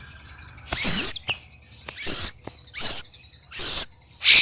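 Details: Strange, loud harsh calls from a white-rumped shama sparring with two other birds: four rasping bursts topped by a high thin whistle, spaced under a second apart, a steady high tone beneath.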